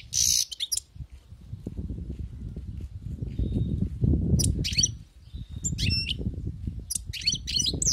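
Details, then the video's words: Wild-caught European goldfinch song: a loud buzzy burst at the start, then scattered twittering phrases and a thin whistled note, over strong low rumbling background noise through most of the recording. "أسمع وركز على المقنين الخلوي كيف يغرد"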